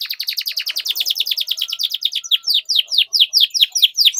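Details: Canary in long, continuous song used as a lure for training young canaries. Fast series of high, downward-sweeping chirps repeated in steady rows, the later notes slower and more widely spaced.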